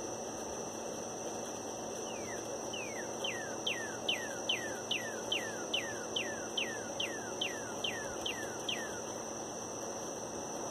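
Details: A northern cardinal sings in the morning near the recordist's home: a fast series of about sixteen clear, down-slurred whistles, two or three a second, over a steady droning hiss.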